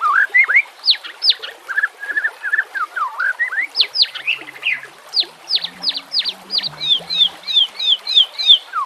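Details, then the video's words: White-rumped shama song for training other shamas and as a lure, mixed with nature sounds and trickling water: lively whistled phrases, sharp downslurred notes repeated in quick series, rising rolling whistles near the end. "PANCINGAN murai BATU pasti langsung TAK BISA DIAM | pancingan murai TERBAIK"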